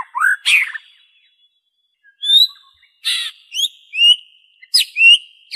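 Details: Original white-rumped shama song free of imitated phrases, used as therapy to get kept birds singing: scattered clear upslurred whistles separated by pauses, mixed with short harsh bursts.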